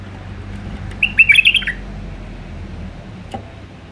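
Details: One quick, fluty phrase of five or six tumbling whistled notes from a wild Iraqi white-eared bulbul singing in the Alwazi style, then low rumbling background and a faint tap.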